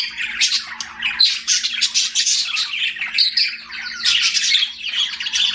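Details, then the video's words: Budgies kept as pets chatter busily: rapid, raspy warbling phrases and sharp chirps tumbling over one another without a break, sounding like several birds together, with a low electrical hum in the room. "BUDGIE CHIRPING SOUNDS"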